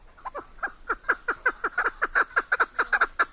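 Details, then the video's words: Female chukar partridge, locally called keklik, in Tajikistan: a fast, steadily building series of short clucking chuk notes, about five per second, each with a downward-sliding tail, growing louder through the sequence. "Садои Модкабки Шикори Голос птиц как поёт горная Куропатка Кеклик Keklik Partridges in Tajikistan"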